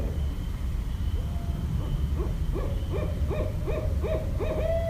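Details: Barred owl recorded in Westchester, New York on 5.1.17, giving about eight clipped hoots that speed up and finish in a long upward-sliding note, with a faint steady high hum and low rumble behind.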